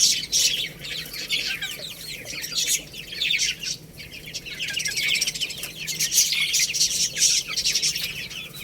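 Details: Baby chickens eating rice: loud, continuous, high twittering peeps from many chicks overlapping, swelling and easing in waves.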